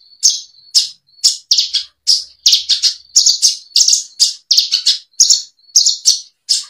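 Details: Bushlark song for tutoring kept birds: a dense stream of high chirped notes, often paired, repeated rapidly over a faint continuous whistle.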